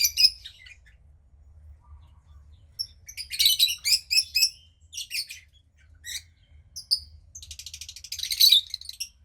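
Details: Young captive female cockatiel, around 15 days old, second hatch of a pied pair; bouts of rapid, stuttering raspy chirps, the final one a long buzzy train of pulses, over a low steady hum.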